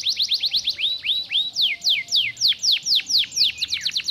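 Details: Canary singing a stimulating song of clear, loud downward-sweeping whistles, repeated in a steady quick rhythm throughout.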